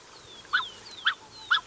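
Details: Close calls from a pair of black-necked swans with cygnets: three short, soft, wheezy honks about half a second apart, with faint thin descending whistles from a rufous-collared sparrow in between.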